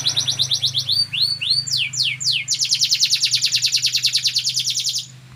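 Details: Prize-winning national competition canary singing: quick high trilled notes, a few rising and falling whistled sweeps, then a long rapid rolling trill of even pulses that fades at the end, with a constant low hum beneath.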